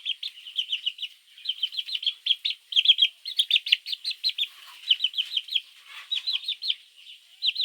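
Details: Chicks calling their mother at dawn, a steady stream of shrill, rapid peeps in tight bursts, many birds chirping together almost without pause for nearly eight seconds.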